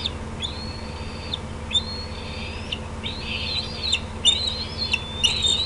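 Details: Bald eagles at the Decorah nest, June 18, 2016, 8:48 PM CDT, a parent on an outer limb and juveniles coming over: a run of long, thin, high whistles, each held level then dropping sharply, repeating about once a second over steady hum.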